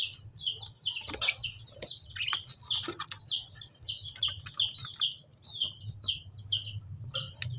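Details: Lovebird chirping, a busy stream of high, falling chirps packed closely together, with scattered clicks and rattles and a low background hum.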